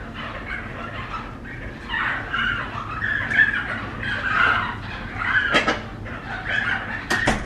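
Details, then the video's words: Young rescued flamingo chick at a bird rehabilitation centre, fed formula after drought drove its parents away; hoarse, buzzy begging notes rise and fall irregularly, with sharp clicks and handling sounds near the end. "Rescued Flamingo chick getting fed"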